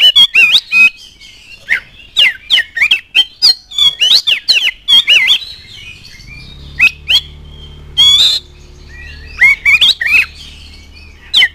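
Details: Oriental magpie-robin in energetic song, used to get other magpie-robins singing: long, fast sequence of varied whistles, squawks and chatters, with a low steady hum in the background during the second half.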